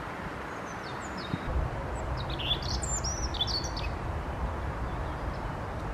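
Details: European robin in song on a cold windy 4 April 2023: a quiet burst of high, varied, sharply slurred notes clustered in the middle, over a steady wind roar.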